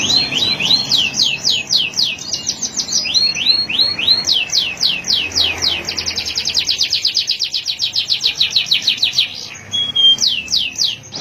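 A male canary sings a long, bright song of rapid repeated trills and chirps, shifting between fast rolling phrases and sweeping whistled notes.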